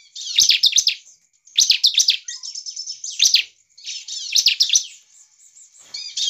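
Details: Ciblek (bar-winged prinia) song intended to provoke other birds: loud clusters of sharp, high, rapidly repeated notes roughly every second, with softer buzzy trills between bursts.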